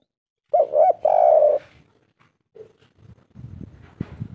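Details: Kuk-three coo of a local spotted dove from Indonesia: two brief hooting notes and a longer steady one in the first second, then faint rustling and low thumping noises.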